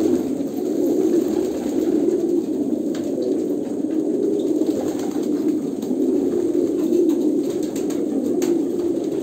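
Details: Many Kolkata pigeons cooing at once, a thick, low, bubbling drone of overlapping coos holding steady, with light scratching sounds now and then.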